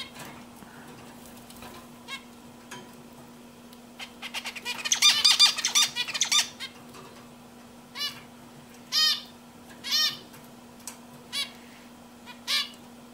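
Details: Zebra finch singing: a dense two-second burst of buzzy, rapid, high notes, followed by a series of separate nasal, honking calls repeated roughly once a second, with a faint constant low hum throughout.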